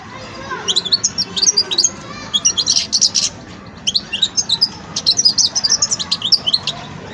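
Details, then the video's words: Young goldfinch in its song-learning phase, twittering in long, lively runs of high, sharp, tinkling notes with a few buzzy elements and one short break midway, over a soft constant hum. "جان مقنين ويداني في مرحلة فرز التغريد"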